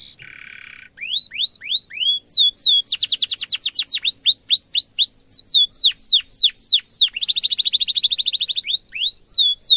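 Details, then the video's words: Canary singing a long, lively tutor song for young birds to copy: repeated rising whistled sweeps, fast trills, a buzzy low churr and a rolling high trill, phrases changing every second or two. "Kenari gacor panjang cuit cuit emosi pancingan kenari paud belajar bunyi suara gampang di tiru"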